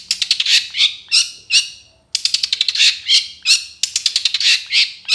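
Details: Full-isian song of a long-tailed shrike for training other birds: harsh, buzzy chattering phrases of rapid high notes, delivered in bursts with a brief pause midway, loud and clear.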